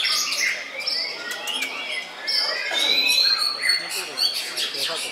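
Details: Caged murai batu (white-rumped shama) singing during a contest at Puspa Agro, Jemundo, Sidoarjo, Indonesia: thin high whistles, sliding notes and scratchy chips blending with other birds.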